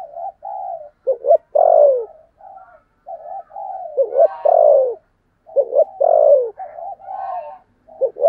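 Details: Spotted dove used as a lure bird, singing in the 'thổ' voice style. Repeated phrases of mellow short hoots, a quick double stutter and a long, loud, downward-sliding coo, three times in succession.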